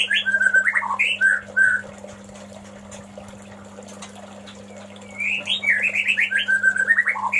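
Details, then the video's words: White-rumped shama male singing to call the female: a burst of rich, varied whistles and slurred notes, a pause of about three seconds, then a second rapid warbling phrase with fast trills and dropping notes, over a low steady hum. "SUARA KICAU BURUNG MURAI BATU JANTAN MEMANGGIL BETINA"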